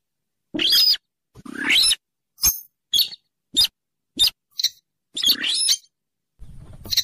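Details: Mandar dengkur or weris, a rail used to lure birds for trapping; a run of harsh rasping notes and short sharp clicks at irregular intervals, some long and grating, ending with low rumbling noise.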